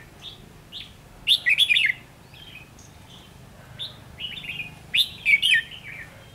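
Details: Red-whiskered bulbul serving as a trapping decoy, 7 November 2016, delivering quick, cheerful warbled phrases: scattered single whistled notes and two louder tumbling bursts of chirps, with a quiet background.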